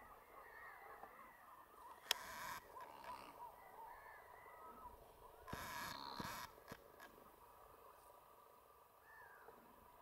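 American flamingos in a flock give a steady murmur of nasal, goose-like honks and gabbling notes. Two louder bursts of rushing noise break through.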